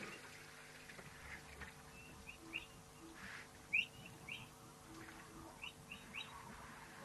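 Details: Dusky Long-tailed Cuckoo, a hard-to-see migratory bird calling at an African waterhole in December, giving short, clear, upslurred whistles in loose groups of two or three, fairly high-pitched, over a steady low hum.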